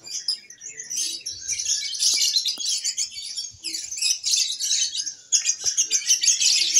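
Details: Lovebird singing at a Single Fighter practice contest in Indonesia, with the contest winners heard: a dense, fast, high chattering trill sustained through the clip, with short pauses and swells in loudness.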